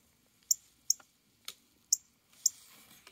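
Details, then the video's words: Male northern cardinal calling to attract a mate, five quick, piercing metallic chips about half a second apart, with a short hiss of background noise near the end. "The male Cardinal's mate call"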